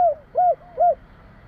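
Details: Javanese spotted dove in the 'kuk 3' style. Three mellow, arched coos descend slightly, spaced roughly a third of a second apart, in a quiet setting.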